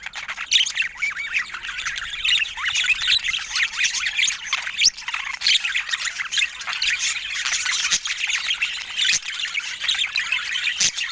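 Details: Pet budgerigars in a busy flock of overlapping high chirps, scratchy squawks and rapid twittering warbles, keeping up a nonstop chatter.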